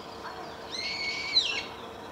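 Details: Single drawn-out nasal, wheezy call from a female brambling at Saiko Wild Bird Forest Park on 31 March 2018. It holds level for almost a second, then slurs downward.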